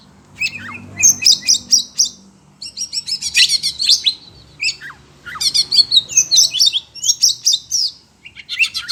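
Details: Oriental magpie-robin, locally kacer, kept as a cage bird and excited by other birds' voices, sings dense bursts of rapid scratchy and whistled notes in three main phrases separated by short pauses.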